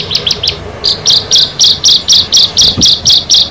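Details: Bar-winged prinia among a group of six: a few quick notes, then an even series of sharp high chirps, roughly four each second, with a faint low knock midway.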